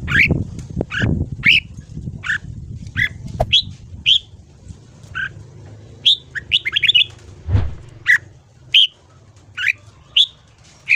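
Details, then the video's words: Morning ché-style singing of a red-whiskered bulbul for voice training: clear single whistled chirps spaced about a second apart, with a brief rapid cluster midway and some low thumps at the start. "Luyện giọng chào mào hót sáng. Kích ché kích thích bổi giọng dài."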